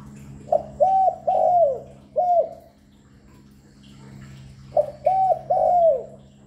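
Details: Spotted dove calling continuously, used to lure and stimulate doves: two phrases of three or four mellow coos, the last note long and drooping, separated by a pause of about two seconds, over a steady low hum.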